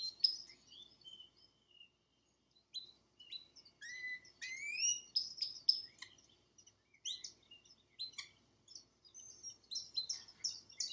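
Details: Male pet canary singing indoors while watching a screen: scattered whistled notes and sliding upswept chirps, with brief pauses between phrases.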